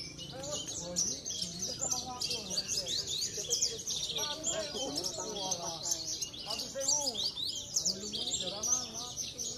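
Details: Javan bush lark kept for bird-singing contests in Cilacap, a consistent champion, sings a fast unbroken stream of sharp high chirps and buzzy trills. Lower sliding whistles and people talking are audible underneath.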